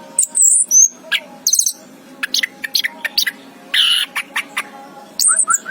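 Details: Anis kembang, the orange-headed thrush, singing short, shrill chirps and squeaky whistles in scattered bursts, with one harsher rasping note midway, all above a faint, constant low hum.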